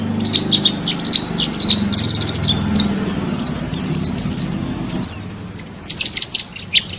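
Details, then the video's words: National champion white-eye (pleci) singing as masteran training material for cage songbirds: dense high twittering with quick buzzy bursts and sweeping slurred notes, ending in fast rhythmic chips, low background rumble throughout. "Masteran wajib pleci juara nasional"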